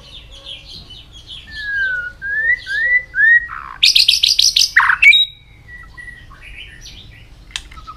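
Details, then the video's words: Training song of a white-rumped shama: soft high notes, a series of slurred whistles, then a burst of rapid harsh buzzy notes, followed by quieter scattered chips. "luyện chòe hót nhiều giọng.kích chòe lửa hót nhanh căng"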